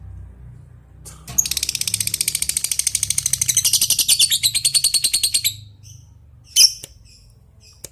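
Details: Long ngekek trill from a lovebird calling a rival: a machine-gun series of high, rattling pulses running for over four seconds, then a short squawk and a few faint chirps.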